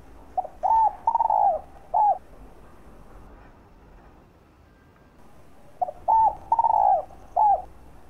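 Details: Spotted dove calling to stimulate and attract other doves: two low cooing phrases of four notes each, the third note longest and wavering, separated by several seconds of near silence.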